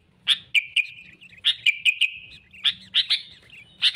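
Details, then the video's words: Sooty-headed bulbul used as a lure for rivals in trapping: sparse, sharp chip notes, each trailing into a short thin whistle, spaced irregularly. "suara kutilang gacor cari musuh‼️ampuh untuk pikat dan pancingan"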